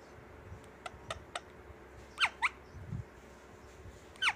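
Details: A pet Indian ringneck (rose-ringed parakeet) in a room, playing with a drink and red bottle cap, gives three sharp, shrill squawks dropping in pitch, two in quick succession and one after a pause, following light tapping clicks.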